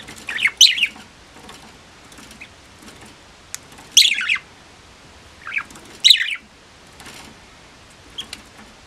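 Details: Pet budgerigar calling repeatedly with bright, squeaky chirps and short warbled notes every second or two, some notes doubled, over low background hiss.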